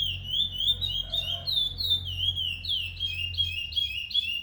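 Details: Brown ten-month-old curió, a chestnut-bellied seed finch kept by a Brazilian breeder. It gives quick, ringing whistled notes that swoop down and up in a rolling, continuous phrase. A faint low hum is audible beneath.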